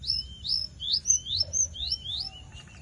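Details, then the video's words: Javan bush lark singing vigorously (gacor): a fast series of about seven high, upward-sweeping whistled notes, each under a quarter second, repeated steadily with short gaps. "Pesona burung Branjangan gacor"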